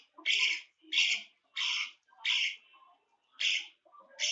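A budgerigar chick gives harsh, raspy begging calls, repeated roughly every second.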